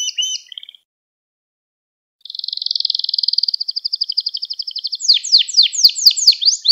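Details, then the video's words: Caged canary song used to train young singers: a short phrase, about a second and a half of quiet, a long rolling trill slowly spacing out, then loud sweeping downslurred whistles repeated rapidly. "Müthiş Ders Gibi Kanarya Sesi Ve Ötüşü"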